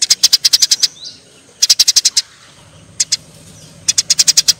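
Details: Eurasian tree sparrows in a fight, repeating clipped high chirps in quick bursts of six to nine notes separated by short pauses.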